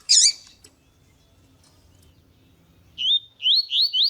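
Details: Double-collared seedeater (Sporophila caerulescens), a male heard with a female calling, in a recording meant to stimulate other males: one sharp high chirp, then after a pause a quick series of four bright, wavering whistled notes, each rising and falling.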